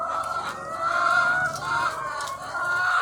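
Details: Crowd of egg-laying hens on a chicken farm, thousands together, giving a steady wall of overlapping nasal calls and long wavering squawks with no pauses.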